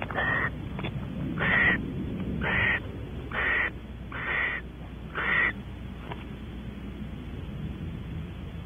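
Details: Barn owls in a nest box at Audubon Starr Ranch, California, around mating after the female arrives; six short rasping hisses about one per second, then the calls stop, leaving a soft low hum and a few faint clicks.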